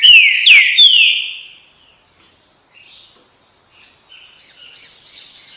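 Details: Green-winged saltator opening with loud, rich downward-slurred whistles that fade out, after which faint chattering notes from other small birds are heard in the background.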